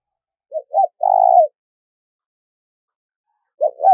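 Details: Captive decoy spotted dove cooing to lure wild doves: two short low coos followed by a longer, steady, slightly falling coo, with a new phrase beginning after a three-second pause. No other sounds.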